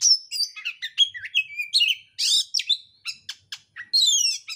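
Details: Oriental magpie-robin, locally kacer, in full dense, fast, insistent song used to provoke another bird to sing; rapid varied whistles, trills and sweeping slurred notes packed tightly together, loud and clean with no other sounds.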